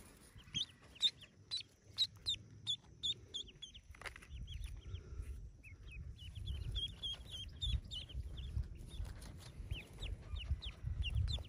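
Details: Yellow ducklings hatching in a cave nest, forty in the brood, with loud, sharp, high peeps early on, then a steady stream of softer, rapid cheeping over low rustling noise.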